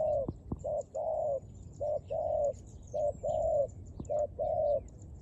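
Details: Dove cooing in a steady rhythm: low, hollow notes in pairs, a short coo followed by a longer, slightly falling one, repeated about four times. Faint high chirps from small birds and a few sharp clicks sit in the background.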